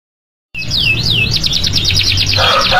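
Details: National champion canary in full, lively song: after a brief silence, a loud swooping whistle gives way to a fast buzzy trill of rapidly repeated notes, with a low hum underneath.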